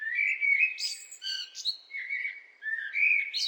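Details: Continuous blackbird song: rich whistled, slurred notes at mid pitch interspersed with brief high chirps and squeaks, flowing without a break.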